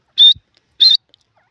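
A francolin gives two loud, harsh, high-pitched notes, each brief and grating, spaced about half a second apart; nothing else is heard.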